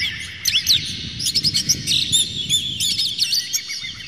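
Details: Rough, clear Oriental magpie-robin song used as a lure to agitate and provoke singing. A dense, varied run of high whistles, slurred sweeps and chattering notes plays over low background rumble.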